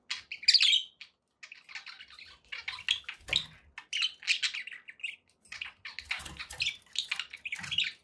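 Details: Contented pet budgerigars chatter in loose, scratchy warbles and short twittering runs, with brief pauses and occasional soft knocks from the cage.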